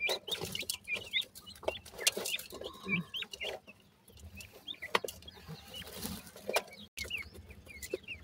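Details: Grey francolin chicks give high, thin peeping calls, each note arching then dropping, repeated in quick, uneven bursts and sometimes overlapping, with sharp clicks and taps and a brief silent gap near the end.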